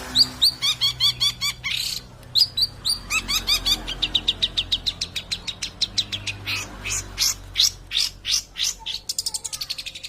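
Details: Long-tailed shrike song: rapid runs of sharp clicking and chipping notes, short trilled phrases repeated in quick series, several bursts with brief gaps, over a faint low background hum.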